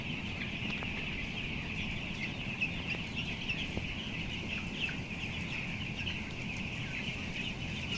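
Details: Broiler chickens aged 14 days, weighing 525 grams, part of an 11,000-bird flock on the upper floor of a closed house: a constant high chorus of overlapping peeping over a steady low mechanical hum.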